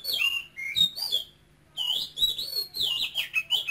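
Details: High-pitched song of a caged male oriental magpie-robin from Cambodia, whose voice follows the Quảng Ngãi style. Clear whistled notes rise and fall, then a short gap before a dense string of bright, slurred phrases.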